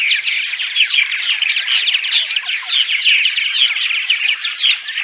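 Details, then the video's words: Purple martins in daytime chatter during the migration period: a dense, continuous chorus of gurgling, squeaky and buzzy notes from many birds overlapping without pause. "Attract Purple Martins (10 hours of Daytime Chatter)"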